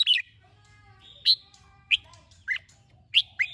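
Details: Red-whiskered bulbul singing its morning song in the ché style, used to train caged birds. Short bright chirped phrases arrive about every half second to second, each with a sharp rising and falling sweep. A low hum sits underneath.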